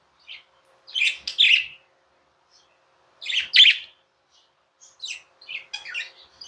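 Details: Tame budgerigar indoors making short bursts of scratchy, chattering chirps separated by pauses of one to two seconds, ending in a series of quick, squeaky notes.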